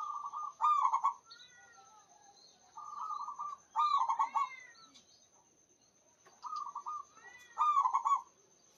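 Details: Local Indonesian zebra dove in full, vigorous song, praised for a big, long voice: bursts of rolling, bubbling coos with a short lead-in note then a quick trilled run, in four phrases, with faint chirps of other birds and a thin steady high whine.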